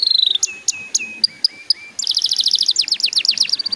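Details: Canary song used as a lure to get young canaries singing quickly: clear high notes, then a run of steady lower whistles, then a fast trill of repeated downslurred notes.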